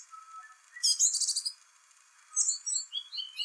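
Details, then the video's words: Complicated spring song of a song thrush: a harsh, dense chattering burst, then a quiet gap, followed by a series of short clear whistles stepping downward. "Song thrush sings spring birdsong"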